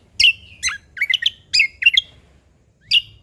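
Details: Sumatran leafbird (cucak kombo, Lombok) singing actively in 'isian alam' style, filled with wild-bird phrases: short sharp chirps and slurred whistled notes in quick bursts, broken by brief pauses, with a faint low hum behind.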